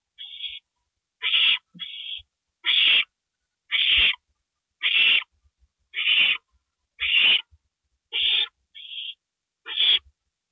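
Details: Owl during a gopher prey delivery at 2:05 AM, April 27, 2012; a long series of rasping screeches, nearly one per second, mixed with a few narrower, cleaner hisses and scattered low knocks.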